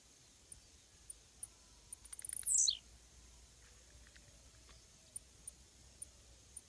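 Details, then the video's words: A Blue-black grassquit (Volatinia jacarina) gives a single high, buzzy note that sweeps sharply downward, introduced by a quick run of ticks, with faint high ticking repeating in the background. "Cantos Del Arañero Silbón, Semillero Volatinero Y Pirincho"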